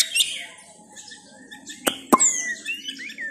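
White-rumped shama giving scattered high whistles and short chirps of varied pitch, interrupted by two sharp knocks, over a low steady hum.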